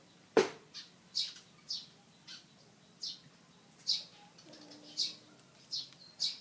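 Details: A Malaysian pied fantail in a tree, fanning its tail like a peacock, gives short, high chirps in an uneven series of roughly two per second, with one louder broadband snap near the start.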